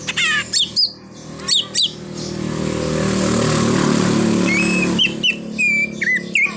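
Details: Greater green leafbird song, rich in imitations including a car horn. Sharp looping chirps open the passage, a loud rushing broadband noise swells in the middle, then bright whistled notes and chirps resume.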